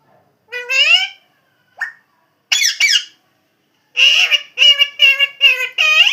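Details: Pet parrot indoors in a small room giving short squeaky, speech-like calls: a rising nasal phrase, brief chirps, then a run of harsh rapid squawking syllables near the end.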